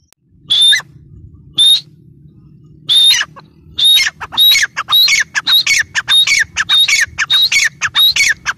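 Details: Grey francolin (teetar) call that starts with spaced single harsh whistled squawks about a second apart, then speeds into a dense run of grating phrases several per second; faint low rumble beneath.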